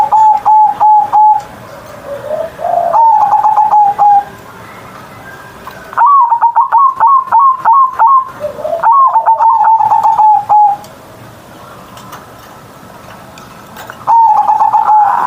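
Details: Zebra dove in Indonesia singing gacor each morning with a big voice: repeated bursts of rapid staccato coos ending in a drawn trill, phrases separated by quiet pauses, softer low coos between.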